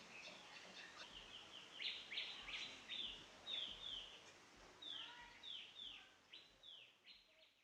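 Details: White-rumped munia, Garo name do-bit, recorded in the Garo Hills of Northeast India: fairly quiet run of clear downward-sweeping chirps, roughly two or three per second, in loose groups, with soft background noise.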